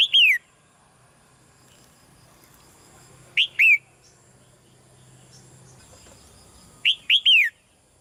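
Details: Caged female red-whiskered bulbul gives soft calls to encourage a male to sing more loudly; three spaced phrases of quick paired whistles plus a falling slurred note, about three and a half seconds apart, in a quiet setting.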